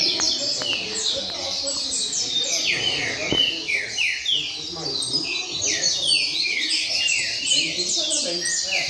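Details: Rain-style song from a caged double-collared seedeater placed in a training circle, a long run of sharp, high descending slurred notes delivered quickly in bursts, men's voices murmuring in the background.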